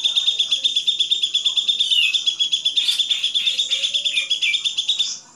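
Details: Grey-cheeked bulbul, recorded as a master track for training songbirds, pouring out a dense buzzy chatter of high notes in quick regular pulses, with short downward slurs, fading at the end.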